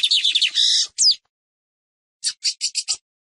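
A Lined Seedeater sings a rapid, buzzy jumble of high notes, a sharp downslurred note, then a pause and five quick, evenly spaced buzzy notes.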